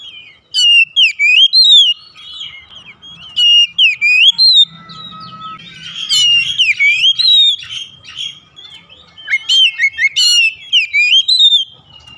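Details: House-kept oriental magpie-robin song meant to coax a quiet bird into singing: clear whistled notes rising and falling, sharp upswept chips, loud phrases repeating every few seconds with quieter twittering between.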